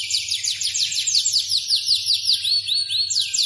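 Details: F2 Yorkshire canary trilling brightly, quick repeated high notes about six per second sweeping downward, ending with a few looping arched notes; a quiet low hum persists throughout.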